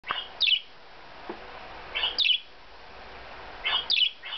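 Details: A pet parakeet gives three bursts of harsh, high chirps, about every one and a half seconds, over a faint hiss. It is answering, or "talking" to, a parakeet video being played to it.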